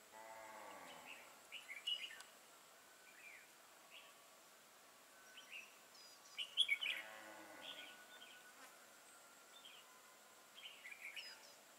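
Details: Caged decoy Red-whiskered bulbul set out to lure and trap wild birds, 12 April 2018: short, bright warbled phrases repeated every one to two seconds, one louder burst midway, after a brief low voice-like sound at the start.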